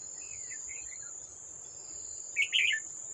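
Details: A wild old red-whiskered bulbul near a trap on 18 July 2024 confronts a decoy. It makes a faint, falling whistled phrase, then a louder burst of sharp chirpy notes, over constant high-pitched insect buzzing.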